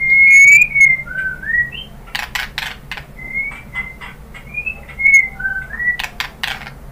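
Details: White-rumped shama song used as a lure to stir another bird into singing: clear whistled notes gliding and slurring between middle and high pitch, separated by sharp broadband clicks and short rasping bursts.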